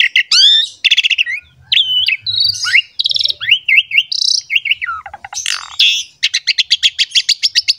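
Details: Energetic Asian pied starling song, bird pumping as it sings, used to prompt other starlings to call: bright rising whistles, buzzy grating phrases and a rapid pulsed trill of sharp notes at the end.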